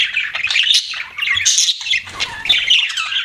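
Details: Budgerigars chattering without pause in harsh, grating squawks mixed with higher squeaky chirps.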